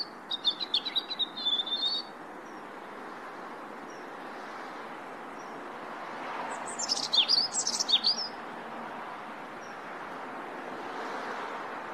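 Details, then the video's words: A European robin gives two brief bursts of high, thin, twittering notes several seconds apart, over a steady rushing background hiss. "European Robin Chirp"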